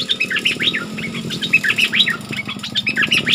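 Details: A flowerpecker in an excited state pours out continuous high, sweet chirps and slurred notes, fast and uneven, over a soft low background rumble.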